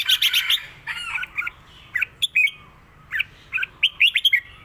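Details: Red-whiskered bulbul kept as a cage bird, delivering a southern Thai pattern song used to teach birds: a dense run of quick warbled and whistled notes, some buzzy, with rising and falling slurs and short pauses.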